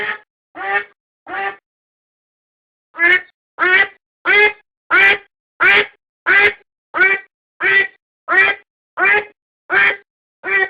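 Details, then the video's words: Decoy recording of a domestic duck: three raspy quacks, a pause of about a second and a half, then a long even series of loud quacks repeated about every 0.6 seconds. "アヒルの鳴き声 おとり用"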